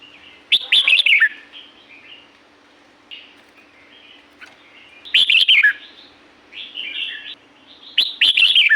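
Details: Red-whiskered bulbul singing in La-u forest: loud bursts of rapid, jumbled, chattering whistles roughly every four seconds, with quieter warbled notes between them and a faint constant hum in the background.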